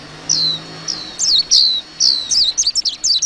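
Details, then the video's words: Warbling white-eye song opening with evenly spaced thin downslurred notes that quicken into a jumble of rapid high twitters. "tiếng chim vành khuyên hót líu lo"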